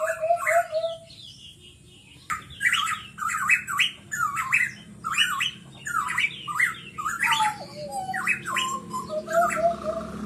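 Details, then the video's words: Pitohui lure song meant to set other birds singing: a short opening whistle, a quiet pause, then a fast run of harsh rising-and-falling squawks mixed with lower clear whistles, backed by faint hiss. "Pancingan burung pitohui bahan pasti langsung gacor"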